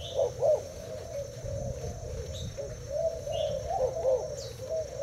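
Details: Cooing contest between a caged Thai spotted dove and a decoy bird; soft, somewhat blurred coos run almost continuously, with a few louder notes and faint high chirps from other birds.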